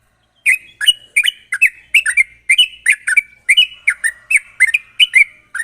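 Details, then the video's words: Lively sooty-headed bulbul 'gacor ropel' song meant to lure other bulbuls to sing: a steady, unbroken stream of quick fluty, bubbling note pairs, about three per second, with no other sounds. "pancingan burung trucuk gacor ropel tajam ini ampuh buat memancing trucuk bahan agar cepat bunyi"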